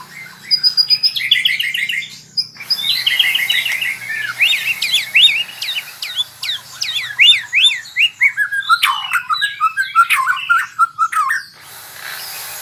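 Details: White-rumped shama practising rolling trills: a quick chattering run, then a long sequence of steep rising and falling whistled notes, several per second, ending in sharp clicks.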